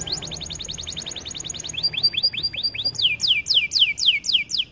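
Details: Canary training song: fast run of high chirps, then repeated mid-pitched sweeps, finishing with louder high downslurred notes in a regular rhythm.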